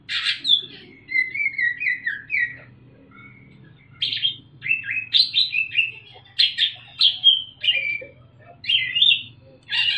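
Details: A young Sumatran leafbird, just out of juvenile spotted plumage, gives a loud, clear, rapid ngriwik song with mimicked parrot and other bird phrases: varied chattering and whistled bursts every half second or so, with a faint low hum underneath.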